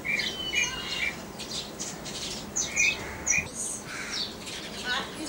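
A pair of grey francolins gives harsh, clipped notes about twice a second, mixed with thinner, higher squeaky calls over a light background hiss.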